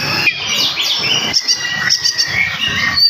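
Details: Morning song of an oriental magpie-robin, delivered rapidly and densely to provoke rival magpie-robins that hear it. Clear whistled phrases with falling and rising sweeps follow each other with barely a pause.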